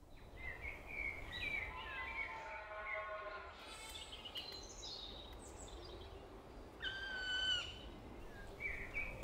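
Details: A female Black Woodpecker sings from trees near the nest during the breeding season, in a small wood beside a village: ringing, harmonic notes in short bursts, with other bird calls and steady outdoor background noise.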